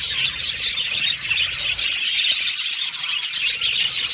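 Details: Continuous chirping and warbling from a flock of pet Australian budgerigars, dense overlapping calls punctuated by a few brief whistles.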